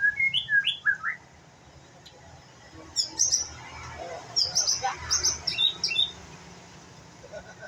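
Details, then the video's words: Young white-rumped shama practising song: a few clear whistled notes open, then bursts of high sharp chirps and scratchy twitters in quick runs, pausing between bursts. A faint murmur sits behind, with a low background hum. "murai batu pastol belajar bunyi"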